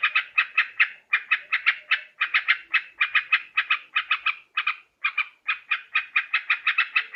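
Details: Borneo recording of a yellow-vented bulbul (trucukan), used for luring birds: grating notes grouped in short rapid clusters separated by tiny pauses, continuing steadily throughout.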